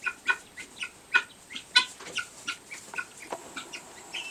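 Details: Guinea hen making unusual calls in a barn while laying an egg: a steady run of short, harsh, clipped notes repeated about every half second, varying in loudness.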